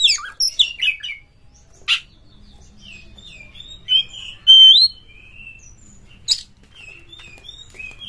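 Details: Oriental magpie-robin (kacer) lure song for prompting kacer birds in breeding mood: scattered whistled phrases and sharp clicks with quiet gaps, one longer clear whistle in the middle.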